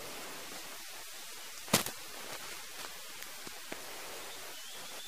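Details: Steady broadband hiss outdoors, broken by one sharp crack and a few soft ticks, with no animal calls.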